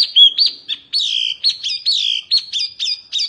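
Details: Mini wambi Oriental white-eye, strong song good for tutoring: sharp high chirps followed by a run of looping, downward-curving notes repeated several times a second.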